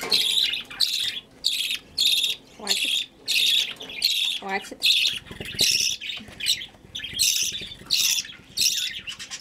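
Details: Hand-fed budgerigar chick begging insistently with a long, even series of harsh, buzzy squawks, well over a dozen, each about half a second apart.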